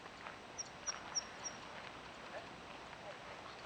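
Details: Zitting cisticola in grassland, a bird with two song types, one given perched or descending and one when flying up. Four sharp, high, thin ticks in quick even succession, then quiet with faint background rustle.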